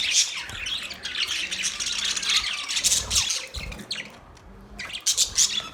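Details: Pet Budgerigar, an Australian parrot, chattering with rapid raspy chirps and squawks, a short quieter gap late on, then renewed bursts of scratchy calls; faint low tones underneath.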